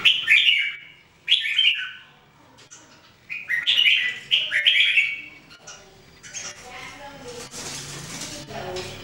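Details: Red-whiskered Bulbul (jambul) from a group of three trained to sing every day, recorded in 2018. Rich warbled phrases are repeated about every second and a half, then give way to broad hissing noise and scattered clicks.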